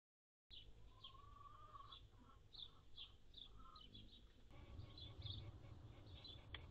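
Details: Anna's hummingbird at feeders on June 7, 2022, a day with a high of 76F and a low of 51F: a steady run of short, sharp, high chips, two to three each second, with a lower drawn-out whistle early on over soft background hiss.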